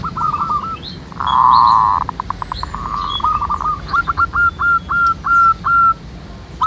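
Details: Wild local zebra doves in a lively singing chorus: a loud, buzzy burst gives way to a clear run of evenly spaced, hooked coo notes, with faint higher chirps from other birds behind.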